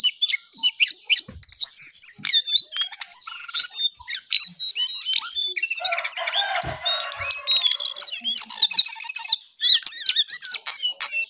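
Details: ['Very early morning, a brown songlark sings continuously: a busy stream of high chattering, squeaky whistles and rapid trills with few pauses.']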